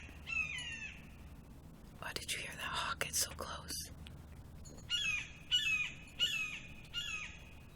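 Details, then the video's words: Blue Jay mimicking a hawk, giving about five loud, slurred, descending hawk-like screams, with a woman speaking briefly in the middle. "Oh, it's a blue jay mimicking the hawk. Liar!"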